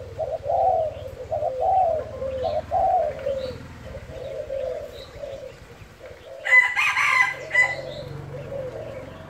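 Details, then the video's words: Spotted dove giving gáy thúc and thúc gù coos: repeated hollow, bubbling coo phrases at an even pace, interrupted near the end by a rooster crowing loudly before the cooing resumes, with a steady low hum underneath. "Cu gáy thúc kèm , thúc gù"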